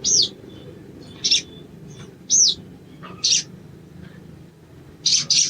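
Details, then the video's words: A sogon plays as training or lure audio meant to make sogon sing quickly: short, very high notes, thin arched whistles alternating with buzzy bursts, about one each second, over a faint low background hum. "TERAPI BAHAN SOGON IJOAN CEPAT BUNYI"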